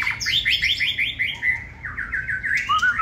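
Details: Short-tailed caged white-rumped shama pours out a rapid rolling series of buzzy chirped notes, ending with a soft looping whistle.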